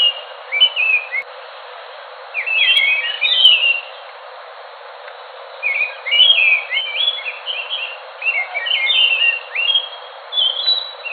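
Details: Enggano thrush song heard as separate bursts of melodious whistles and quick warbles, each a second or two long, spaced by longer pauses of quiet background.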